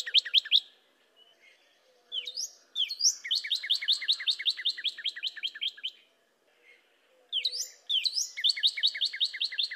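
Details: Cardinal singing: bright whistled upslurs followed by long runs of rapid, evenly repeated sharp chirps, the phrase pausing and then starting again with rising slurs.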